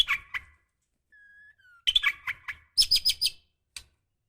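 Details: Calling female white-rumped shama in breeding condition, summoning the male: chirpy notes, a thin level whistle, then quick clusters of bright tweets and a final short chip.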